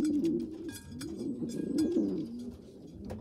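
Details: Bigger young pigeons being fed by a poorly developed young pigeon; a short, low, quavering squeal rises and falls twice over a few seconds amid light clicks.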